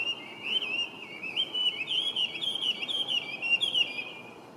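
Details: Chinese hwamei, a wild introduced resident bird, singing on 23 November 2025: a continuous run of loud, clear whistled phrases that warble up and down and slur into one another without a break.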